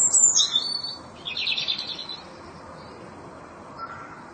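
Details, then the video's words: Korean bush warbler song with a high sliding whistle at the start, then a fast buzzy trill of rapid notes lasting about a second, followed by quiet with a faint lower note near the end. "휘파람새 소리"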